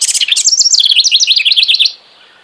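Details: Single house wren song phrase: a quick buzzy opening, then a rapid, evenly repeated series of bright warbling notes lasting under two seconds before stopping.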